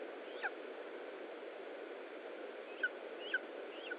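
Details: Lesser spotted eagle calling at its Estonian nest during feeding, 20 July 2012, 15:45: one sharp downslurred yelp, then after a pause three more in quick succession, over steady hiss.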